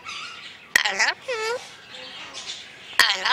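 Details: Male Red-sided Eclectus parrot kept as a family pet, tickled by its owner while she says "I love you". Sharp taps and quick harmonic squawks are followed by a drawn-out arched, nasal call and softer chatter.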